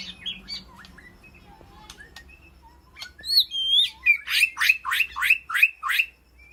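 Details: Shama, the White-rumped species, calling to its flock in an aviary: soft scattered chips and whistles, then a clear looping whistle followed by a rapid string of loud, downslurred notes, about three per second.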